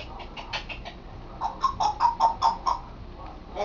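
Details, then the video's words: Indoor pet African grey parrot practising words, which it has just started stringing into sentences: a rapid, syllable-like run of about a dozen clipped, nasal notes, several per second, getting louder midway, then a final short note. "African Grey Sambuka trying to talk and succeeding!"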